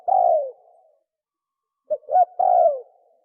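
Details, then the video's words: Spotted dove giving its 'sấm chuông' cooing style, used to stir up males, females and wild birds: one drawn-out falling coo, a pause, then a short note, a double note and another long coo slurring downward, in a quiet setting. "Tiếng chim cu gáy sấm chuông cực chất cực hay kích trống kích mái kích bổi"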